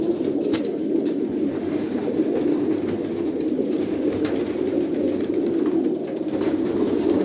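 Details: Several Kolkata pigeons give deep, bubbling coos that blend into a constant chorus, punctuated by a few sharp clicks or wing taps.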